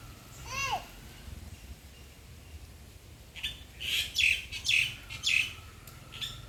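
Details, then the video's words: Bird gives one layered, slurred whistle. After a quiet pause comes a burst of five loud, buzzy, high chirps about half a second apart over a faint steady hum. "Sounds of birds"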